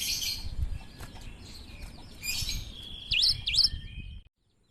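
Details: Cinereous tit singing an odd song. Noisy rustling and fluttering come first, then two clear, swooping V-shaped whistles about half a second apart, before the sound cuts off.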